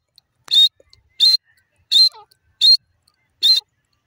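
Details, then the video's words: Grey francolin, or dakhni teetar, giving five sharp, high, clipped notes spaced under a second apart. A faint lower squeak sounds between the third and fourth notes, with quiet background otherwise. "dakhni teter bird ki awaz"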